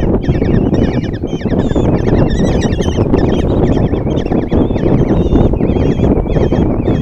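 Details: Five common kestrel chicks in a nest box at Tiszalök, Hungary, on June 26, 2024, begging as the female brings breakfast and feeds them: a dense chorus of overlapping wavering, trilled squeals, with constant low rumbling from the nest and wind.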